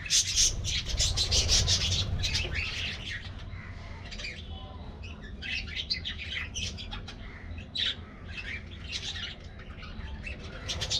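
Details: Pet budgies living as an aviary colony chatter over their morning diet treat, with fast repeated squeaky chirps, about three per second, and scratchy warbles over a low background rumble.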